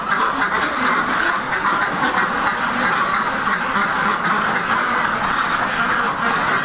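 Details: A purebred Rouen duck breeder flock on a hatchery farm quacks continuously, many harsh, nasal calls overlapping into a steady chatter with no pauses.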